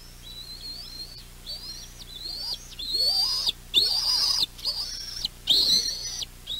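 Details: Bald eagle youngsters calling at their West End nest on 7 June 2023 as the mother flies in bringing a fish. Piercing whistled squeals, starting soft and building louder, each note held briefly then breaking off, in a rapid uneven series.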